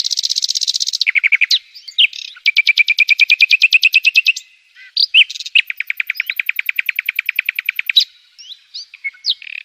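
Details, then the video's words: A flamboyan songbird, recorded in Indonesia on 2 July 2021, delivers long, rapid, high-pitched trills of evenly spaced notes, broken by short sharp chips and squeaky twitters. "Flamboyan eh..eh..eh.. Flamboyan"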